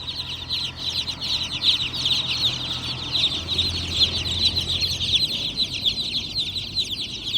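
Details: A flock of baby chicks chirps without pause: many shrill, high peeps overlap into a steady, busy twittering, with a low background hum.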